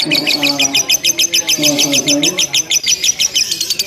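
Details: Lovebird chattering in ngekek style in a simulated singing contest, long and without pause: fast regular bursts of high squeaky notes in a pulsing rhythm, with low humming tones underneath.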